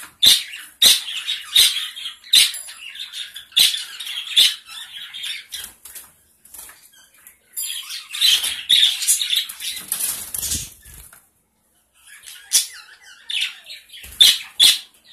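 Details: Gray Java sparrows in a small colony, busy with rapid overlapping chips and twittering notes, broken by wing flapping and scuffling, with a short silence near the end before the chatter resumes.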